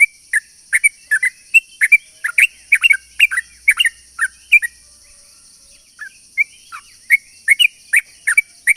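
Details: Long rapid song of a sooty-headed bulbul used as a lure for other bulbuls: dense bubbly, slurred chirps in quick succession, a brief lull midway, then renewed chattering, against a steady high hum.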